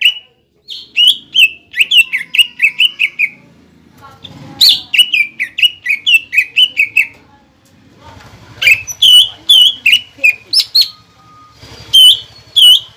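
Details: A cucak ijo singing as a pancingan to stir young trotolan birds and ombyokan birds into song. Long runs of loud, clear whistles repeat rapidly, with slurred notes and ringing high chirps, and a faint low hum underneath.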